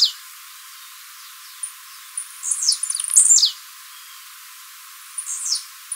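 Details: Blue-black grassquit singing for song training, recorded live: a rapid stuttering run of high buzzy notes falling in pitch, then a quieter descending phrase after a pause, with a few faint ticks.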